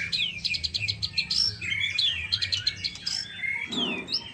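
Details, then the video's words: Song of a young white-rumped shama, a lively stream of clear whistles, quick downward slurs and chattering trills in repeated bursts, closing with a softer rising whistle over a faint low background hum. "marai batu muda"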